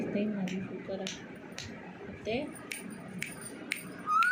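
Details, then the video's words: Pet talking Alexandrine parakeet muttering soft, speech-like chatter over sharp clicks about twice a second, then giving a clear rising whistle at the end. "alexandrian talking parrot"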